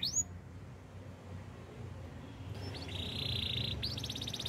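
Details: Canary song for training, heard more softly over a low background hum: one rising whistled note, a quiet gap, then a steady buzzy trill and a faster high rattling series.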